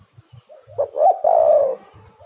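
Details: Spotted dove call used as a lure for trapping doves, Java: soft low introductory coos followed by a loud, hoarse, drawn-out cooing phrase lasting about a second.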